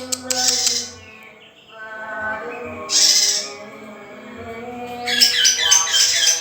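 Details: Song of a young male lesser green leafbird: separate short bursts of harsh, high, rasping notes divided by pauses with softer gliding whistles, ending in a fast stuttering high phrase, over a constant low hum.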